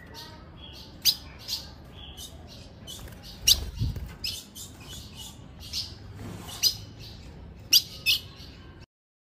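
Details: Female ultramarine grosbeak giving a long, irregular sequence of crisp, high chips, sometimes paired, over nine seconds with a low thump near the middle; the call is used to excite males.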